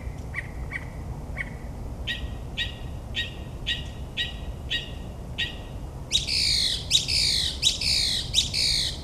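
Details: Northern mockingbird singing at midnight in suburban New Jersey, mimicking other species: short chirps near the start, then louder repeated phrases, and finally rapid loud buzzy downslurred notes in quick series, with low background hum.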